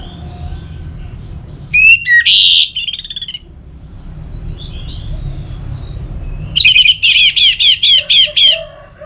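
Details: Orange-headed thrush (anis merah) singing to encourage other birds to sing: a loud mixed phrase with a buzzy stretch, a pause, then about eight evenly spaced, rhythmic trilled notes.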